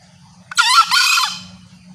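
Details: Female green junglefowl calling to draw males, used as a hunting lure: a loud, harsh two-part call, a short rasping opening burst then a longer buzzy, rich-toned second note fading away, over a faint low hum.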